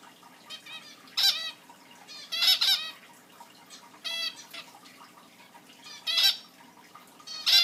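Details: Pet zebra finches kept indoors giving loud, nasal, trumpet-like chirps, singly or in short doubled bursts every second or two, with quiet pauses between.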